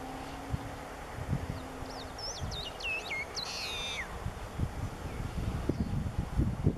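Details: Long-tailed Meadowlark (Sturnella loyca) at the outer edge of Laguna Nimez Nature Reserve, El Calafate, Santa Cruz, Argentina, April 2016, gives one brief song: quick clear whistled notes, then a loud wheezy downslurred buzz, over wind and rustling.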